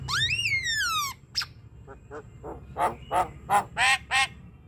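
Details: Javan myna singing to rouse a lazy bird: a long, loud, falling whistle with rich overtones, followed by a series of harsh nasal notes that grow louder, about two a second.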